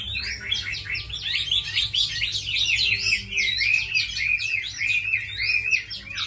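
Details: Long, vigorous outpouring from a tame Chinese hwamei kept as a fighting bird, made of rapid downslurred whistles and warbles delivered in a continuous loud torrent.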